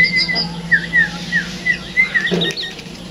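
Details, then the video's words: Tame caged sooty-headed bulbul singing: a series of short, slurred whistled notes at a steady mid pitch, about two per second, with a few higher chirps at the start, over a low steady hum. "Burung Kutilang Yang Jinak Supaya Suaranya Gacor"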